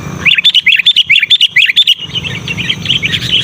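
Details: Loud, insistent sooty-headed bulbul calling, used to draw in wild bulbuls and to tutor caged birds: about a dozen crisp, evenly spaced chirps in quick succession, followed by softer, jumbled twittering.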